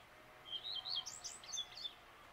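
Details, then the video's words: Common redstart singing at dawn: a short, high phrase of a few clear notes followed by quick, rising and falling twittery flourishes, about two seconds long. "Пение обыкновенной горихвостки"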